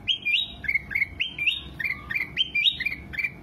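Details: Training song of a sooty-headed bulbul for caged birds: clear, chirpy whistled phrases that jump up then fall, repeated in a steady rhythm, with soft clicks in a quiet background.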